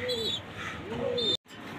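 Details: Domestic pigeons kept near Savar, Dhaka, Bangladesh, including adults with young: a short low coo and thin high whistled tones, then a brief dropout, with other birds chirping nearby.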